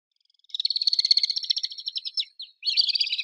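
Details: Common swift, an urban bird, giving a shrill, buzzy trilled scream lasting about two seconds, a short gap, then a second scream starting, rapid pulsed texture throughout, no other sounds.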